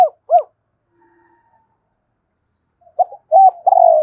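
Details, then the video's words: Spotted dove decoy-stimulating coos: two short arched coos ending one phrase, a quiet gap with a faint hum, then a new phrase of short notes rising into a long falling coo. "tieng cu gay kich boi nhanh noi นกเขาใหญ่"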